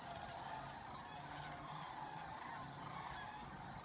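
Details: Sandhill cranes leaving Gainesville, Florida, on February migration back to Nebraska: a distant flock giving many overlapping rolling calls, steady and continuous under a broad wash of background noise.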